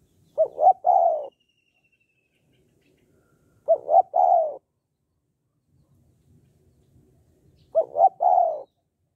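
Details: Spotted dove, 'hạp bổi' voice style, intended to stimulate males to call quickly: three identical low coo phrases, each a quick double note then a longer rolled coo, repeated roughly every four seconds against a quiet background.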